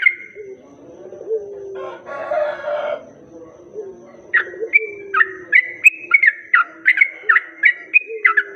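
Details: Sooty-headed bulbul lure song: soft low notes and a brief harsh rustling burst, then a rapid string of bright, slurred whistled notes, about three a second, repeated to draw in other bulbuls.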